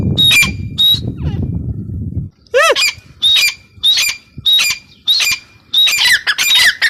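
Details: A female grey francolin calls in loud, repeated whistled notes; after the first few a rumbling background cuts out, and a brief swooping descending sound interrupts before the rhythmic series resumes.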